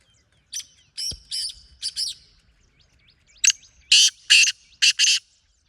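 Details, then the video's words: Call of a wild black francolin: a rhythmic sequence of scratchy, rasping notes, quieter at first and building into a run of four loud harsh grating bursts near the end, with faint small-bird twitters behind. "Jangli teetar ky nzary"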